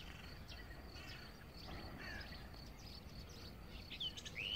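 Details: European bee-eaters (Merops apiaster) at Savica Ornithological Reserve, Zagreb, Croatia, on 25 May 2018, hunting insects from perches; short, liquid chirps and rolling notes overlapping irregularly, a rising whistled note near the end, over steady low wind rumble.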